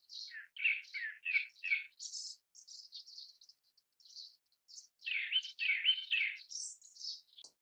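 Grey-backed thrush giving a string of varied, rich whistled and warbled phrases, some high and thin, some lower and fuller, with short pauses between them.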